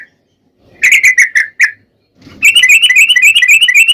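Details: Sooty-headed bulbul singing a lure to prompt other bulbuls: a handful of quick rich whistles, a pause, then an unbroken rapid chatter of bright bubbly notes in long ropel style.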